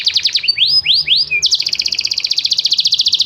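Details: Canary song: quick high chirps, then several slow rising whistled sweeps and a short low note, followed by a long, very rapid and even trill of doubled notes.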